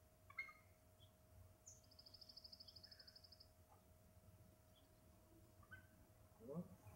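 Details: A bald eagle calls from a backyard overlooking Skagit Bay, Camano Island, Washington, just after sunset on a hot summer day, July 28, 2009: a high, rapid series of even, staccato notes after a brief sharp note, with faint speech and low rumble.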